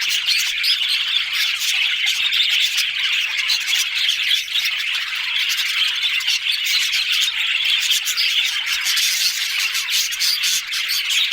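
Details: Budgies squawking and chattering as a group, harsh calls and rapid high twitters overlapping steadily across the whole stretch.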